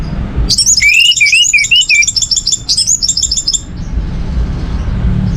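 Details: Orange-headed thrush song used as a lure for other birds: a fast, dense run of high, chattering notes mixed with rising whistles for about three seconds, then low hum.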